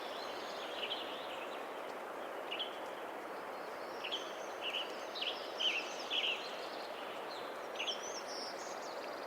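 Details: Western tanager (Piranga ludoviciana) singing in the canopy of old-growth western redcedar forest, Ross Creek Cedars, northwestern Montana, on a misty late-May morning after heavy rain: short, hoarse, robin-like slurred phrases at a quick pace, masked by dripping rain.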